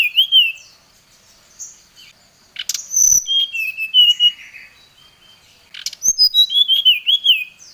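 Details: Oriental magpie-robin calling to a rival with an agitated lure song: wavering whistled notes, a scratchy burst, a varied whistled phrase at mid pitch, then a rapid descending cascade of bright whistles.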